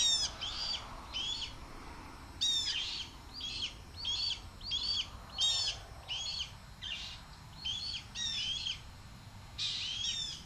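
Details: Juvenile male red-tailed hawk begging from its mother as she flies by the nest, 7.2.23. A rapid, insistent series of about a dozen raspy, downslurred screams and squeals follows at roughly one per second.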